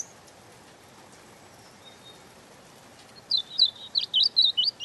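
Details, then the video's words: After nearly three quiet seconds, a European robin breaks into a quick sequence of high, jumpy notes, each a short twist of pitch, repeated about twice a second in an uneven rhythm. "Ласковое пение Зарянки(малиновки)"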